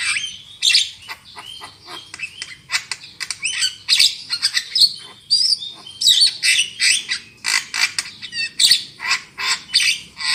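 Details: Javan myna singing as a lure to make other birds sing loudly: a long, dense stream of rasping squawks, clicks and whistled fragments, growing steadier and more rhythmic toward the end.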